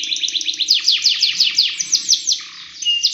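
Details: Canary singing long training song for other canaries: rapid repeated falling high notes forming a rolling trill, then a lower buzzy note and a short steady whistle.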